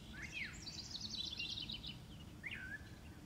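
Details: In a blooming permaculture orchard in spring, with wrens also singing, a Brown Thrasher sings varied phrases of upslurred whistles and a rapid, buzzy chatter, with a low outdoor rumble underneath.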